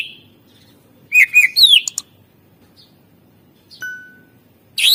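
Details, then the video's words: Greater green leafbird used as a lure recording: a brief burst of chattering notes and a slurred rising whistle, silence, a thin steady whistled tone, then another harsh note at the end. "masteran cucak ijo gacor ampuh untuk pancingan burung suara isian mewah"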